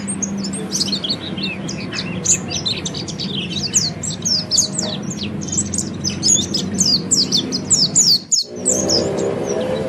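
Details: Oriental white-eye giving ngeriwik song, a training recording for caged birds: long, busy run of high, rapid, chirping and twittering notes, briefly cut off near the end, followed by a low humming tone.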